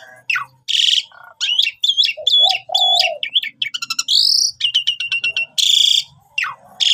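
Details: Lure song of a Javan pied starling for trapping birds: loud and energetic, mixing harsh rasping bursts, ringing repeated whistled notes, rising whistles and low mellow notes in quick succession.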